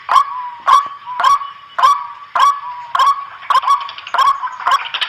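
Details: Lure call of White-breasted waterhen, attracting birds that come to a companion's voice: harsh honking notes, each trailing off in a short drawn-out tone, repeated steadily about twice a second.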